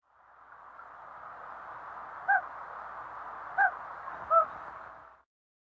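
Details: A Common Loon in Minnesota gives three short, soft, single-note hoots about a second apart, over a steady background hiss; the hoot is a short-range call used between pair members and chicks.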